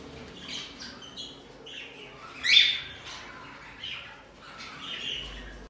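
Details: A pair of red-rumped parrots giving scattered high chirps and squawks, with one louder harsh squawk in the middle, over faint background hiss.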